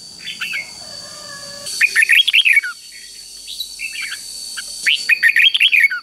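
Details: Red-whiskered bulbul in a cage giving the easy three-syllable doubled song used to train young birds in Thai counting contests; a soft opening note, then two rollicking whistled phrases about three seconds apart, with a quieter phrase between.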